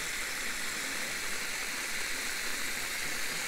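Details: Steady broadband roar of falling water, like a waterfall or heavy stream, fills the whole recording.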